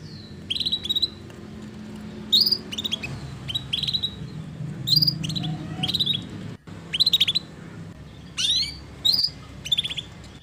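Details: Canary from a gacor singing lure: short sharp high chirp groups, repeated every second or so, rising and falling steeply, heard over a steady low rumbling background noise.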